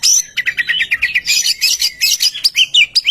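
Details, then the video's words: Oriental magpie-robin song used as a lure to get other birds singing: a rapid, varied run of high whistled and chattering notes, about three per second, bright and unbroken. "Kicau Merdu burung murai kampung suara pemikat"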